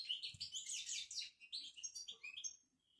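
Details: European goldfinch from Morocco in continuous bitbita twitter: rapid, dense tinkling chirps and buzzy trills pouring out for over two seconds before fading.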